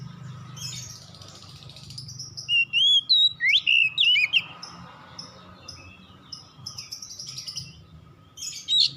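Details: Oriental magpie-robin singing at dusk: a soft opening, then a loud burst of varied whistled and swooping notes, followed by quieter short repeated phrases and a final bright whistle, with a low hum underneath.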